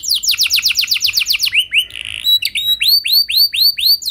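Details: Lure song of a canary meant to prompt other canaries to sing: rapid rolling trill of sharp falling notes, a short buzzy pause, then slower repeated upswept chirps.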